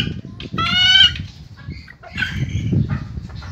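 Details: Ayam Ketawa chick, a laughing-chicken breed from Indonesia, gives one drawn-out, strongly harmonic squawk, then a fainter, shorter call over low rumbling background noise.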